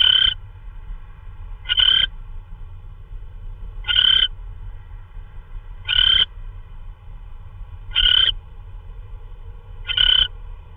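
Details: At 3:12 in the morning on March 16, 2013, an owl bringing in prey gives six brief grating screeches spaced about two seconds apart, with a constant low background rumble.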